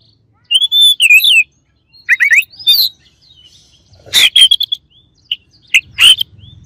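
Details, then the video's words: Oriental magpie-robin rival song for provoking other birds: sweet drawn whistles and wavering phrases, followed by a pause, then loud harsh chattering notes and short clear whistles; slight low rumble late on. "KACER LAWAN AUTO EMOSI DENGER INI"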